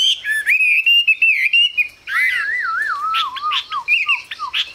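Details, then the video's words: Chinese hwamei in a cage singing sustained whistled phrases, then a long descending wavering trill that slides lower, with sharp high notes over it. "Họa mi siêu phẩm, người dai miên man | Hoạt Họa Mi"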